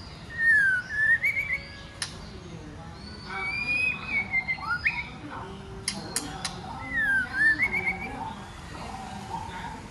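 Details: White-rumped shama song from a female stirring males to sing and fight: looping whistled slides and level notes in phrases, interrupted by several sharp loud clicks and snaps midway.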